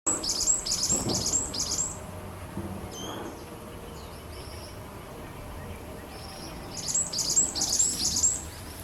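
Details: Varied tit singing in a neighbourhood during weekend birdwatching: bursts of high, rapidly repeated sharp chirps in two groups at the start and end, with a few softer thin notes between over faint background noise.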